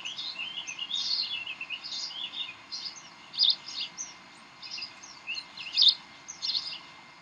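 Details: At the Decorah bald eagle nest on an 18 May 2012 evening, during tug of war: scattered high, squeaky chirps, softer at first, then a few sharper louder bursts spaced irregularly.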